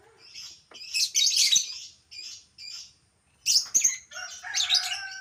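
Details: Albino lovebird in captivity producing loud harsh screeching bursts mixed with short high chirps and a few lower whistled notes.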